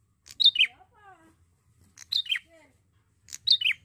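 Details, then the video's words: Young male Bar-winged prinia in full song gives sharp, high chirping phrases of two or three quick falling notes, repeated roughly every one and a half seconds, with soft lower slurred whistles between. "PRENJAK JANTAN ,MASIH MUDA SUDAH GACOR SANGAT"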